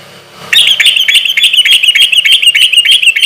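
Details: Loud, persistent sooty-headed bulbul song played as a lure so other bulbuls answer quickly: after a half-second lull, a rapid continuous twittering trill of high chirped notes pours out steadily to the end.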